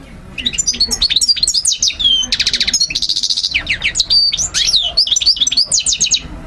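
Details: Song of a European goldfinch, used to teach and motivate learning birds: fast tinkling twitters mixed with dense, buzzy trilled passages and quick rising and falling whistles, delivered without pause for over six seconds.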